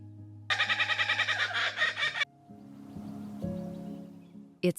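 A Laughing Kookaburra gives a rapid, rollicking run of harsh chuckling notes for about two seconds, then a narrator's voice and soft music take over.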